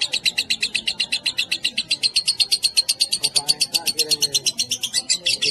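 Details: Lovebird ngekek, a long chatter of rapid, buzzy high notes repeated steadily for over five seconds, with a faint human voice in the background midway.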